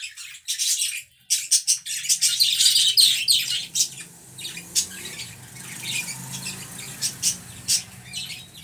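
Budgerigar chatter: quick, scratchy chirps and squawks in bright, irregular bursts.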